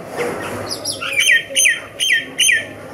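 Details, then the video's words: Myna singing a run of five loud, clear notes, each a bright whistle that bends downward, spaced about half a second apart, over faint background hiss. "myna bird song / myna bird sound /mynah bird singing"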